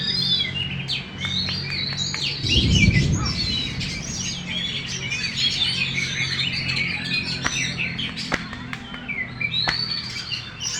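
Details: Caged Oriental magpie-robin, a contest champion displaying its fanned tail, keeps up fast, high whistled and chirping phrases. A brief low thump or rustle sounds near the start, and sharp ticks are scattered throughout.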